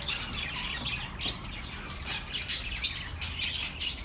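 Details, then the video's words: Many small birds chattering together, played to keep lonely pet birds company: a steady wash of high, rapid chirps and twitters with a few louder notes near the middle, no single voice standing out. "The best relaxing birds sounds for your lonely birds"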